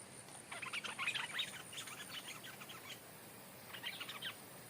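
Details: Decoy stripe-throated bulbul, returned to the place it was originally taken from, calling to lure the new territory holder. It gives a long run of rapid chattering, warbled notes, then a short final burst after a pause.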